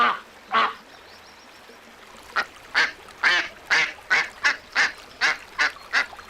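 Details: Ducks quacking in a steady run of about a dozen rasping, nasal calls, two or three per second, after a couple of isolated quacks, with a quiet background.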